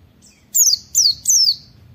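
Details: Oriental white-eye wit wit training call: three loud, high whistles each sliding steeply downward, evenly spaced about a third of a second apart.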